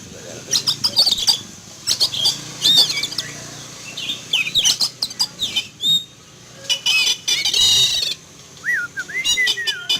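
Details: Morning recording of a caged Oriental magpie-robin placed in a yard, agitated after seeing an eagle fly by; repeated rasping bursts and twittering, with slurred whistled phrases near the end.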